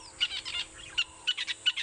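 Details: Sunrise, 5 November 2016, Djuma, South Africa: red-billed buffalo weavers overhead in breeding season, busy nest-building, give a rapid scratchy chatter of high notes in quick bursts, three or four a second, over a faint hum.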